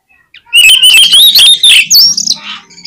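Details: Kacer, the oriental magpie-robin, in loud 'gacor' lure song meant to set field competition birds singing: a continuous wavering whistle that climbs to a sharp higher phrase, with rapid chattering notes underneath.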